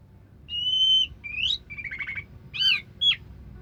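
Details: Orange-headed thrush (anis merah) singing in the 'sampai teler' style: a long steady whistle, then a rising slur, a buzzy trilled phrase, and sharp downslurred notes, over a faint low hum.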